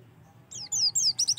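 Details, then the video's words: Oriental white-eye song used as a singing prompt, brief: a few high downslurred whistles followed by quick clipped chirps. "PANCINGAN AMPUH SUPAYA PLECI LANGSUNG BUKA PARUH‼️"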